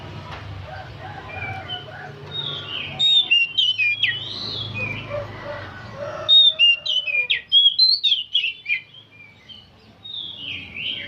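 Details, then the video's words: An aged oriental magpie-robin sings without pause. It gives varied whistled phrases, slurred up and down, then a burst of clipped, rattling high notes in rapid succession. Quieter chatter and a low background hum run beneath. "Kacer tua jiwa muda nyerecet bunyi tanpa henti"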